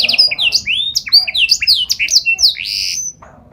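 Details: Canary singing a rapid string of slurred, bouncing whistled notes that jump between pitches, ending in a drawn-out rising buzzy note.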